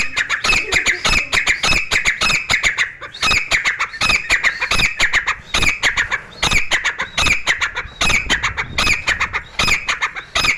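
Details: Grey francolin (Dakhni teetar), a newly acquired bird kept indoors in a room, singing continuously for a long stretch. Loud, harsh, squawking notes are delivered in rapid, uneven bursts, with brief pauses between phrases.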